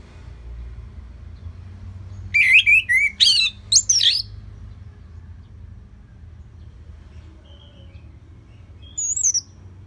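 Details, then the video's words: Orange-headed thrush in steady, relaxed full song, played to train other birds to sing: a short burst of high, rapidly warbled and sweeping whistled notes lasting about two seconds, then a faint high note near the end over quiet background. "Dipancing Dengan Kicauan ANIS MERAH Gacor Selow"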